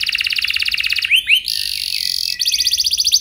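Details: Canary song used as a lure recording to set other canaries singing long rolls: a fast, even, high trill, two rising swept notes, a sustained buzzy tone, then another rapid trill.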